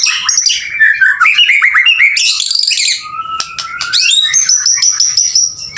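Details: Vigorous singing by a male white-rumped shama: tumbling mid-to-high warbles and trills, then a long level whistle and a sustained high thin note.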